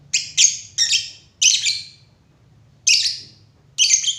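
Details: Lovebird uttering a run of loud, harsh, high chirps in paired bursts, a pause, then two more grating chirps; quiet low hum beneath.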